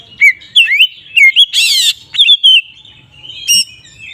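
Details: Magpie-robin (kacer) in ngeplong song meant to rile other magpie-robins: a series of sweet slurred whistles, then a brief scratchy rasp, then more whistles and a sharp chip.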